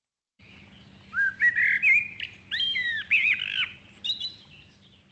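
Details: Common blackbird sings a few mellow, fluted warbling phrases that rise into higher, squeakier twitters, over a faint steady low hum.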